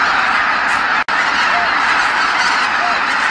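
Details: Geese by the tens of thousands calling while flying back to Kabukuri-numa marsh at nightfall after feeding; a solid chorus of overlapping honks, briefly cut by a split-second dropout near the one-second mark.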